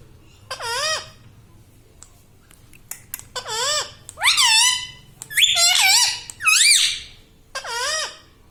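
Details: Pet parrot indoors, saying "Mummy", gives about six separate high, bent, harmonic calls, each rising then dipping, with short quiet gaps between and faint room hum beneath.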